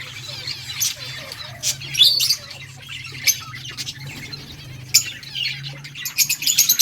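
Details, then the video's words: Breeding budgies at play, giving sharp, high chirps in scattered bursts over a steady low hum. "Budgies playing and chirping"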